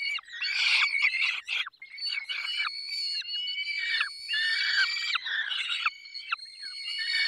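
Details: In the Barycz Valley on 20 May 2021 at 10:22, feeding peregrine falcons give grating, wavering squeals in long overlapping bursts, some dropping in pitch at the end, over a steady thin whistle.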